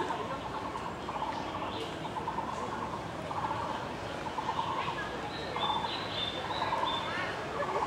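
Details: Taiwan barbet heard in a botanical garden as a brown tabby cat sleeps curled in fallen leaves; repeated short hollow trilled phrases roughly every second, faint higher whistles from other birds, constant ambient noise.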